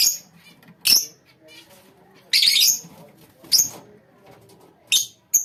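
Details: A colony of lovebirds giving sharp, high chirps in short bursts, about five loud calls spread over a few seconds, with quieter chatter and faint rustling between them.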